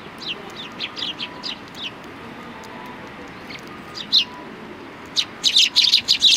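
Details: Several Eurasian tree sparrows resting after feeding, recorded 26 January 2020, give bright, rapid chirps in loose runs, ending in a loud cluster of overlapping chatter, over a soft hiss.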